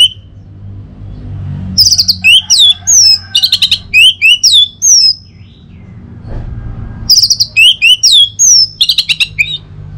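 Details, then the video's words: Morning song of an orange-headed thrush, used to coax other birds into singing: two bursts of quick, varied whistles and sharp chirps separated by a few seconds of quiet, with a low rumble in the background. "Saatnya Buat ANIS MERAH NGEPLONG Gacor dirumah. Pancing dengan suara burung ini baik pagi hari."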